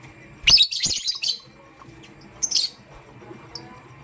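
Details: Pastel gray lovebird morning chirping: a cluster of buzzy high chirps, a second shorter burst, then a faint single chirp, with a light background hum.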